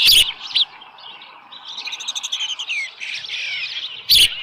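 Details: Osprey at its nest with a live fish, morning of 13 July 2018. Soft, high chirps rise and fall through the middle, framed by two loud clattering knocks at start and end.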